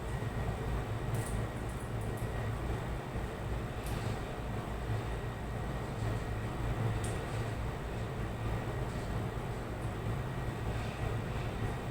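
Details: A steady low rumble like a moving train or vehicle fills the recording, with a few faint high clicks and no animal calls.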